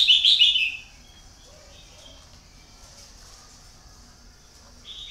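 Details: Red-whiskered bulbul used as a caged lure bird that has taken many wild birds: an opening loud, bubbling, slurred phrase under a second long, then quiet background hiss and a short soft note at the close.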